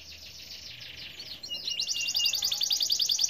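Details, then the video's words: Domestic canary in vigorous, nonstop song, used to prompt other canaries to sing: a dense run of fast high buzzy notes, then a louder, brighter rattling trill of rapidly repeated syllables. "Suara Burung Kenari gacor dijamin ampuh bikin kenari lain ikut gacor"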